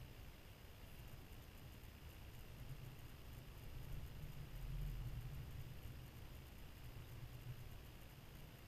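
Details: Steady low rumble, like distant traffic or wind, fills the recording, swelling slightly in the middle; no animal calls stand out.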